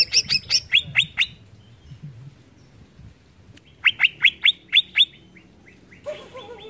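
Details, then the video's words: Greater green leafbird singing to provoke rivals: a string of quick downslurred whistles, a silent pause, then another run of sharp falling notes ending in softer twittering. "BIKIN CUCAK IJO MANAPUN TERPANCING EMOSI"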